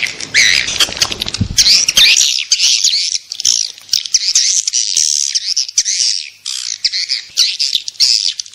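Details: Swiftlet attraction call: after a brief low thump at the start, bursts of high, trilling chirps follow one another in quick, uneven phrases.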